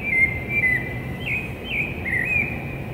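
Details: Pre-dawn song of a rufous-bellied thrush in urban São Paulo, Brazil, September 2017: a few fluty whistled notes with rising and falling slurs, mellow and even, above a constant low city rumble.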